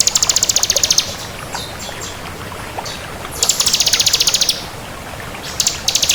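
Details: Crystal bar-winged prinia singing briskly: high, rapid ticking trills about a second long, separated by quieter scattered chips, the pattern repeating over steady low hiss.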